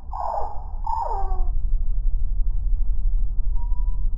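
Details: Hummingbirds fighting at a feeder in Santa Clarita, California, slowed tenfold; two stretched, falling chattering calls at the start, then only a steady low rumble with a faint thin tone near the end.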